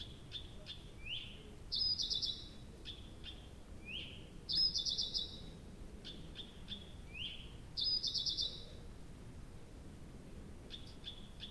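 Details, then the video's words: Nightingale in night song at Abramtsevo, early June 2021, recorded after 23:00: soft rising whistles and ticks lead into loud buzzy rattling phrases, repeated about every three seconds in a quiet night. "Соловей поёт всю ночь"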